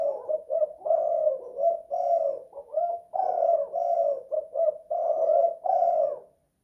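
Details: Spotted dove singing in a house, two-kuk, one-guk style, a long unbroken sequence of short and drawn-out coos in quick succession, mellow and low, ending in silence.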